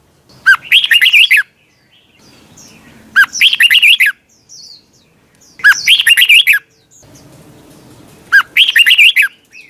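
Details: Red-whiskered bulbul in competition singing, used to train other birds: four matching warbled phrases, roughly one every two and a half seconds, each a quick jumble of rising and falling whistles, with soft faint chirps between.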